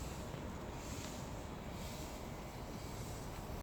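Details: Steady rumbling wind noise throughout, with no animal voices.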